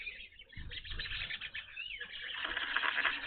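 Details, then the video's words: Evening grosbeaks at a feeder where they had not appeared before call in a lively jumble of high chirps, with one clear sweeping note midway and a low thump at the start. "Evening Grosbeaks at bird feeder"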